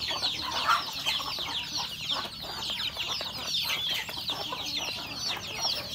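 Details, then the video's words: Rural home chickens at their morning feed, hens with roosters; busy flock chatter of high, downward-slurred peeps running without pause, plus low clucking and scratching sounds. "Beautiful sound of chicken eating breakfast, Roosters and Cutest hen"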